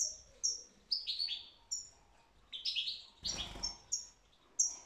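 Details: Singing European goldfinch, 2022: quick sequence of high tinkling chirps and short slurred twitters with a brief thump of handling noise midway and faint background hiss.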